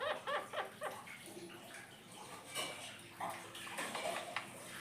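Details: An Indian ringneck parakeet talking alone mutters short, speech-like syllables in quick bursts, some with a nasal, buzzy edge, over a steady hiss like running water.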